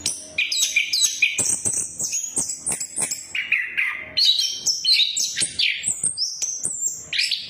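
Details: Orange-headed thrush singing in ngeplong and ngeriwik style as a lure for non-singing birds: lively, varied high whistles, quick chirps and warbled slurs in rapid succession for nearly eight seconds.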